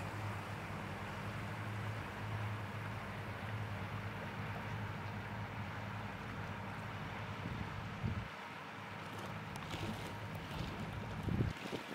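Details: A steady low rumble of wind and a droning engine-like hum fills the recording, with no animal calls standing out.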